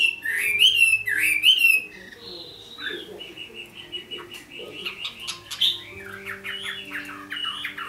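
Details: Red-whiskered bulbul kept as a decoy in Vietnam, singing to challenge rivals: two loud looping whistled phrases at the start, followed by softer scattered notes and faint tonal hums.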